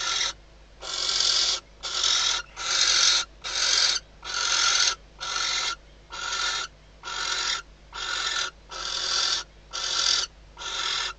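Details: Female barn owl calling from inside the nest box as the male arrives at the outside perch, a few days before the first chick hatches, at night in the Ebro Delta, Spain; long harsh hissing screeches repeated roughly once a second, thirteen in sequence.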